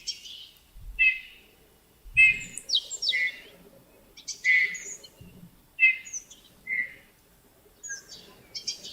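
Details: A Eurasian bullfinch kept in a cage sings quiet, creaky phrases of short whistles and scratchy notes, a burst every second or so, with faint low thumps underneath.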